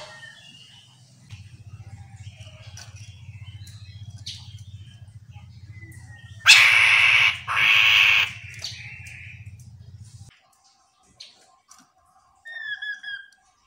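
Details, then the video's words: Chestnut-capped laughingthrush singing vigorously, a lure recording meant to make other laughingthrushes answer: faint scattered whistles, then two loud harsh rasping bursts, with high slurred whistled notes near the end over a steady low motor hum that stops midway. "Poksay Genting Gacor Full,Semua Jenis Burung Poksay Mandarin Langsung ikut Nyaut"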